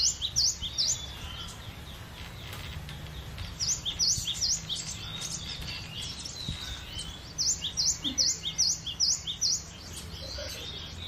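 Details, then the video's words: Cinereous tit (gelatik batu) singing three lively bursts of high, piercing notes, each a quick string of about six to eight sharp repeats, with short pauses filled by softer chirps and low background hum. "GELATIK BATU..PLONG BANGET BERKICAUNYA"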